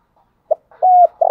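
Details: Morning calling of a decoy spotted dove: a brief soft note, a smooth level hoot, then the start of a rough coo, cut off.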